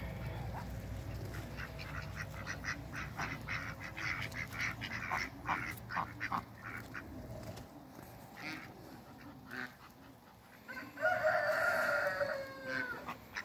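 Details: Four Pekin ducks on a farm giving rapid, repeated harsh quacks in a steady chatter over a low background hum, ending with a louder, drawn-out nasal call near the end.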